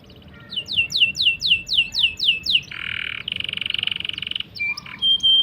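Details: Canary long trilling song for tutoring young or non-singing canaries: eight loud downslurred notes about every 0.3 seconds, then a buzzy harsh roll, a fast rattling trill and short whistled notes.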